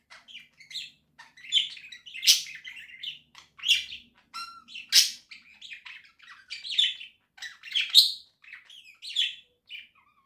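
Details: A pet budgerigar sings in its cage house in October 2024, a fast, scratchy chattering warble of high chirps and harsh buzzy bursts with brief pauses, in a quiet room.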